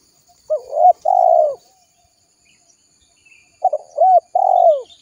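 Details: Lure call of a spotted dove, used to attract wild birds. Two phrases are heard, each a short rising hooked note followed by a long, low, vibrating coo, separated by about three seconds of silence.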